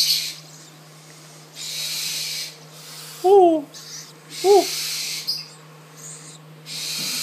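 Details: A captive Spix's screech owl chick, hand-managed since the egg, begging for food: two short, squeaky, arched calls about a second apart between rough, hissing bursts, over a steady low hum.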